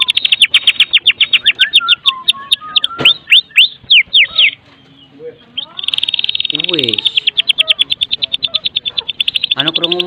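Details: A Medan White-rumped Shama, played as a lure to get other shamas singing, gives loud, varied song: rapid high ticking runs, clear slurred whistles and harsh rattles over dense insect-like chatter.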